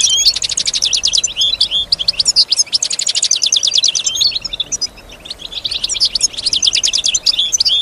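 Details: Female European goldfinch kept at home, singing in imitation of sounds around her: fast, tinkling, rattling trills in bursts about two seconds long, broken by a brief quiet gap.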